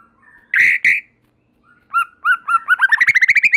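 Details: White-rumped shama in strong song said to trigger other shamas: two harsh emphatic notes, then paired whistles building into a rapid accelerating trill of repeated notes.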